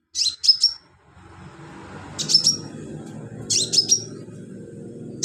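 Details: [['High, sharp chirp clusters of three or four notes each, from a sunbird singing filler song for training birds, repeat about every one and a half seconds over a soft low background rumble.']]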